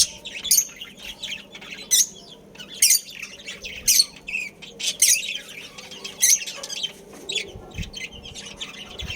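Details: Budgerigars in a breeding colony. Separate sharp squawking chirps come about once a second, with quieter twittering between them.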